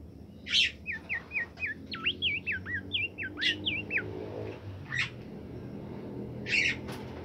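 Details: Caged bimoli bird kept indoors and fed mealworms and crickets, singing a lively run of short, clear whistled notes that slide up and down, followed by scattered sharp chirps and brief buzzy bursts.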